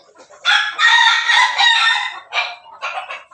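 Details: Pelung-Bangkok crossbreed rooster in a backyard giving a laughing-style crow: a long, harsh, harmonic call broken into pulses, followed by two shorter rough bursts.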